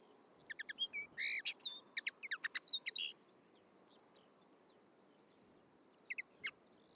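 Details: Common Linnet song: a hurried run of varied twittering notes, some soft and some harsher, in a burst over about two seconds, then a short sharp cluster near the end; a steady high insect-like whine runs throughout.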